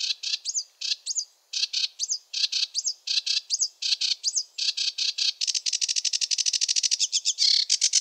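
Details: Sedge warbler singing in a wetland: rapid chattering song of repeated buzzy notes with upslurred whistles, then a fast dense rattling trill in the final seconds.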